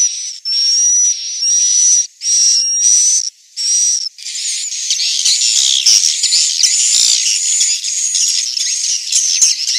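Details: Swiftlet roosting sound from Central Sulawesi: loud, hissing, buzzy bursts with a thin steady whistle, in short separated pulses for four seconds, then merging into a continuous dense twittering hiss.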